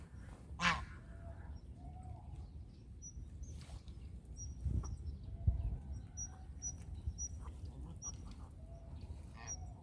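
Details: Domestic goose giving a single loud, brassy honk at the start, followed by quiet outdoor ambience with faint chirps of small birds and low background rumble.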